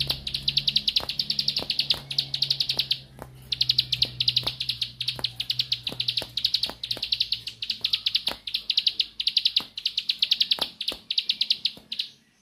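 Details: {'caption': "Bar-winged prinia in 'nembak' song: high, rapidly pulsed buzzy trills in long runs separated by brief gaps, with a steady faint low hum and scattered sharp clicks."}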